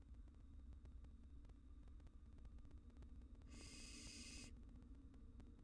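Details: A single harsh, airy hiss of about one second comes from wild barn owl nestlings in a monitored nest box reacting to a cockroach, with a low droning hum throughout.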